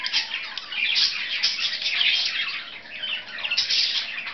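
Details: Two budgerigars kept as pets, playing together; rapid high chirps and harsh squawky notes pour out in bursts, quieter around three seconds before the chatter swells again.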